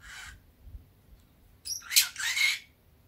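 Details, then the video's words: Drowsy caged Fischer's lovebird on a warm, sunny day gives a soft buzzy note, then a loud harsh chattering squawk that slides into a rasping trill. Nothing else is heard. "ボタンインコ あかねﾁｬﾝのさえずり"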